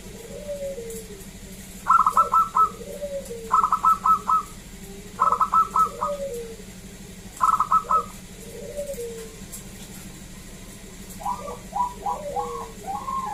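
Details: Local zebra dove singing, intended to coax other zebra doves into song: clipped quick note bursts every couple of seconds, interleaved with lower, softer swooping coos, ending in a looser run of notes; constant low hum throughout.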